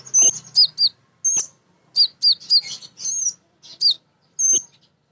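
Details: Lively female kolibri ninja sunbird song, played as a lure to provoke birds into singing: shrill whistled notes and quick hooked chirps in rapid clusters separated by brief gaps.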